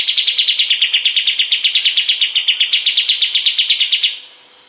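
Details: Master recording of a kapas tembak bulbul for teaching songbirds. A sustained, rhythmic chatter of loud, high notes repeats rapidly and evenly for four seconds, then cuts off.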